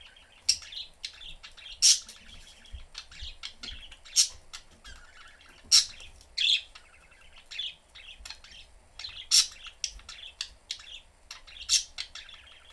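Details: Three pet budgerigars, parents and their young, playing in a home cage with the door open; steady high warbling chatter punctuated by loud sharp chirps every second or two, with faint clicks throughout.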